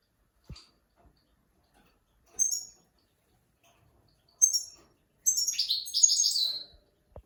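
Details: Goldfinch training song for young birds and mules: two short sharp chirp bursts a couple of seconds apart lead into a fast, dense twittering phrase of high tinkling and buzzy notes, with faint clicks around it.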